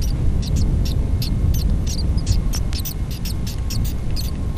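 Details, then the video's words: Hatchling chimney swifts calling while adults feed them small flying insects; dense series of thin, high, scratchy chitters, several each second, backed by a steady deep rumble. "Chimney Swifts Feeding Hatchlings"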